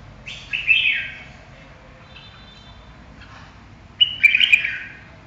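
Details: Red-whiskered bulbul song: two quick, lively, slurred whistled phrases, one near the start and one about four seconds later, separated by near silence.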